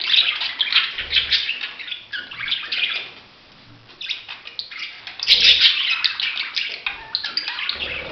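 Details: Budgerigars chattering in a dense, continuous warble of high chirps and scratchy notes, pausing briefly around the third second, with soft low thumps underneath.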